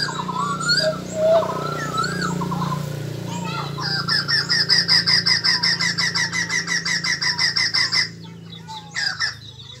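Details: Caged white-crested laughingthrush being trained to sing, 2020 season; rising and falling whistled notes lead into a long fast trill of rapidly repeated sharp notes, ending abruptly, with a low hum behind.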